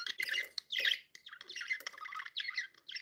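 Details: Happy budgerigars kept as pets give a dense, scratchy warbling chatter of squeaks and clicks in bursts about half a second long, with brief gaps.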